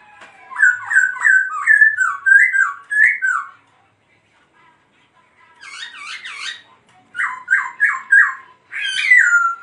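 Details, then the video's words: Laughingthrush singing as it dances: a rapid string of warbling two-part whistles, a silent gap, harsh buzzy notes, then a quick burst of chattering phrases and a ringing downward whistle. "Khướu Muá Hót Như Thế Này Đạt Chưa Anh Em"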